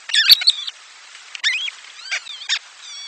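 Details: Nestlings fed by the mother bird in the nest give a busy run of high squeaky chirps and wavering whistled notes, several overlapping at first, then thinner rising and falling calls.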